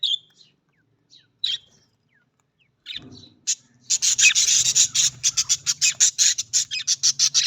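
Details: Australian budgerigar calling: a few scattered chirps, then a fast run of rasping, buzzy notes repeated about three times a second.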